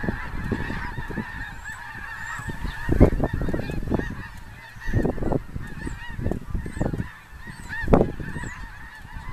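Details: Huge flock of over 10000 snow geese beside a big lake: ceaseless overlapping honks forming a constant droning chorus, with faint higher calls above and strong low booming rumbles swelling around three, five and eight seconds.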